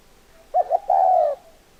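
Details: Single spotted dove phrase of two short quick coos and a drawn-out, level, hollow coo, clear against a quiet background.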